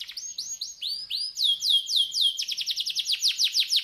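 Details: Canary master song for encouraging silent birds to sing: slow, separated rising-falling whistles that gradually quicken into a loud rapid run of downslurred notes.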